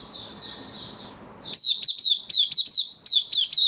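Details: Kept white-eye (mata puteh), dewormed and on supplements, 18 May 2022: a soft, wavering warble gives way to a string of crisp, high chirps, each sliding downward, delivered at a quick, even pace.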